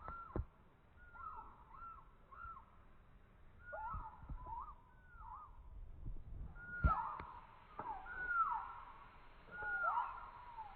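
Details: Young chicken played in slow motion. A series of deep, slurred, downward-bending notes is given singly and in pairs. They grow louder and harsher toward the end, over low thuds and background rumble.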